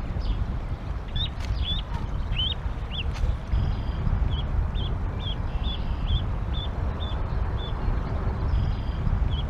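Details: Canada geese at a nest near Decorah, Iowa, on a rainy April 28, 2022, the parents calling goslings to jump: a long series of short high peeps, rising at first then steady and evenly spaced, over constant low rumble with a few clicks.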